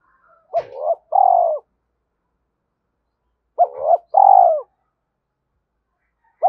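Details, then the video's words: Spotted dove giving a fast urging coo, used as a decoy to stir wild doves: two phrases about three seconds apart, each a short double hoot followed by a longer, falling mellow coo, with silence between. "Tiếng cu gáy thúc gù tốc độ/ cu gay kich boi nhanh noi gù"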